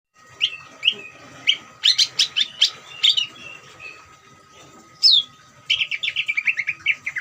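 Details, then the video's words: Greater green leafbird song used as a master track to provoke other leafbirds into singing; bright chirps and warbled notes, a burst of rapid twittering, then a falling whistled slur and a fast descending series of notes. "CUCAK IJO NGERIWIK COCOK UNTUK MANCING CUCAK IJO BAHAN BIAR EMOSI DAN RAJIN BUNYI"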